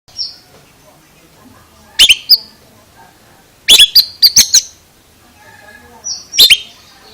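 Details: Oriental magpie-robin making an unusual, strange-sounding song: a brief high whistle, then clusters of loud, sharp, metallic chirps near two and four seconds, and a last whistle-and-chirp burst near the end.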